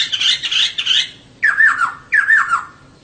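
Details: Caged female laughingthrush singing to lure males into song: a harsh, scratchy chatter to start, followed by two loud whistled phrases that each slide downward in wavering steps.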